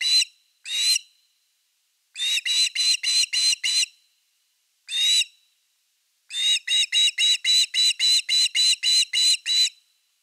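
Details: Evening fish at osprey nest #3, 30 August 2021, recorded by nest camera: single loud whistled yelps, then quick bursts of six to ten rapid chirps separated by short silences.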